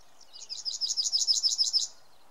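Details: Yellowhammer singing in May 2016 in Samara Oblast, Russia: a high, rapid series of about a dozen identical buzzy notes, even in pitch and steady in pace, with faint low background noise.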